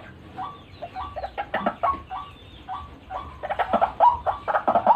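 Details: White-breasted waterhen, recorded for luring birds, gives spaced short nasal notes that build into louder, clustered croaks with upward-bending tones in the second half.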